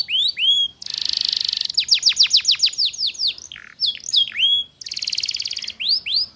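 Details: Ngeriwik-style canary song, a female Atlantic canary enticing males, played to train young birds: looping upswept whistles, a buzzy roll, a cascade of quick falling notes, and another dense rattle.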